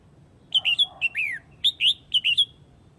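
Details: Red-whiskered bulbul from Huế, Vietnam, calling the flock: loud, clear, rapid phrases of bright whistled notes, some sliding downward, delivered in three quick bursts within a few seconds.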